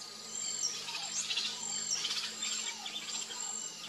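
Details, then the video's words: Variable oriole (Icterus pyrrhopterus), also called inhapim or pêga, pouring out rapid bright chirps and trills, roughly eighty notes a minute, with soft lower whistled slides and a steady faint tone underneath. "ENCONTRO canto (ICTERUS PYRRHOPTERUS), VARIABLE ORIOLE"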